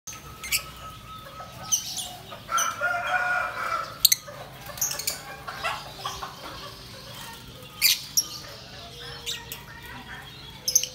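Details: Yellow lovebird chatter: sharp, high chirps and squeaky twitters in irregular bursts, with a few loud clicks and rustles; no other animals heard.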